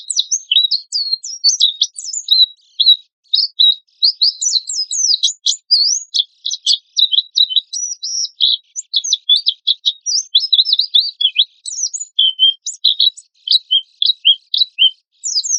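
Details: Oriental white-eye in constant 'tembakan kasar' (rough-shot) song, used as a lure and master song for other birds; a 15-second stream of high, sharp chirps and twittering trills with brief gaps, no other sounds.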